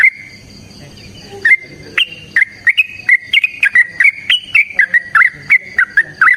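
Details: Yellow-vented bulbul fighting song in the long ropel style: after a short pause, bubbly slurred whistles run together in a rapid, rollicking chain, each note rising or dipping slightly.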